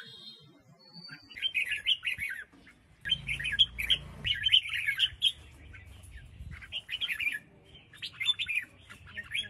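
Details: ['Red-whiskered bulbul female from Huế sings to spur wild-caught males: fairly soft, slurred whistled phrases repeated in short groups, with a brief low rumbling noise partway through.']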